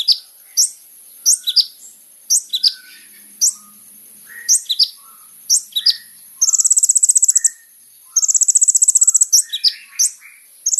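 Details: Kolibri ninja sunbird sings sharp, high descending chips in quick pairs, then breaks into two extended rapid, buzzy trills before returning to chipping; used as a lure to provoke a response.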